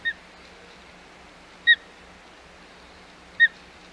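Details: Three clear, downslurred whistled chirps from an osprey at its Hog Island nest on 25 May 2021, evenly spaced about every 1.7 seconds, over quiet background noise.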